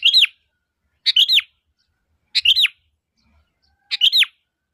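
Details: Sooty-headed bulbul calling as a lure for other bulbuls to answer: four bright two-part phrases, each a sharp note then a downward-curving whistle, spaced a little over a second apart.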